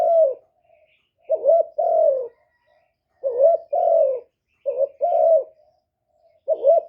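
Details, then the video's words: Decoy spotted dove recorded without background noise, calling to lure wild doves with repeated low coos, each a short wobbling note and a longer sliding hoot, about four phrases over several seconds. "Cu gáy mồi hạp bổi nghe là gáy, chim cu đất, cu gáy mồi cây, tiếng chim cu gáy gọi, cu thúc kèm"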